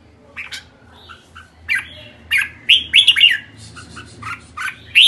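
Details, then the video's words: Red-whiskered bulbul calling with rapid bursts of bright, warbling chirps and short squeaky notes, several grouped closely together, in a quiet indoor space. "Merbah jambul kekek"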